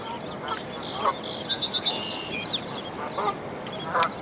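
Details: Canada goose with five newborn goslings at a dead-tree nest as the young leap down to follow their mother. A few short honks at irregular intervals sit under a dense run of high, thin peeps.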